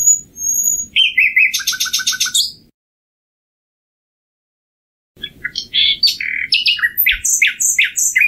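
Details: Two common nightingale phrases: first a sustained whistle leading into a fast, pulsing rattle of repeated notes, then after a pause a varied jumble of high chirps, slurs and sharp ticks.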